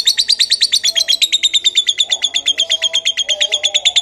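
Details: Lovebird singing in the Kebon Kopi style: a fast, steady chatter of sharp high chirps, about three per second, slightly falling in pitch through the phrase, with faint low murmurs behind.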